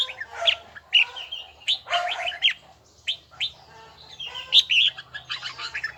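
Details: Red-whiskered bulbul voice training, a bell-toned song of loud, clear whistled notes mixed with brief rough, buzzy bursts, delivered in uneven phrases with short gaps.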